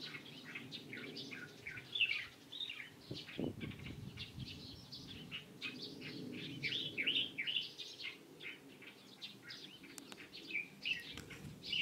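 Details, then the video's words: Lively, continuous chirping of light-vented bulbuls recorded 16 April 2023: rapid bright notes and twitters overlapping throughout, with a low thud around the third second and faint rustling. "검은이마 직박구리"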